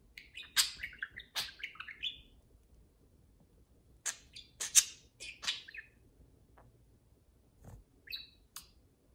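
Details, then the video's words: Two pet parakeets, with one dominating the conversation, chatter and play in quick bursts of high, scratchy chirps and warbles, with short pauses between flurries. "two parakeets converse and play"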